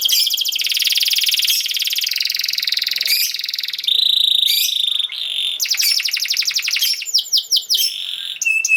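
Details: Canary song used to train young canaries to sing: dense buzzy rolls and rapid trills around mid-high pitch, switching between fast pulsed tours, a steady tone near 4 seconds, then sharp descending notes and quick chattering phrases.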